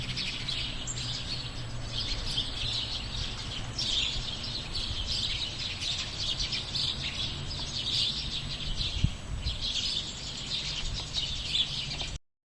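Sparrows chirp busily in a steady overlapping chatter of short high notes, with a low background hum throughout.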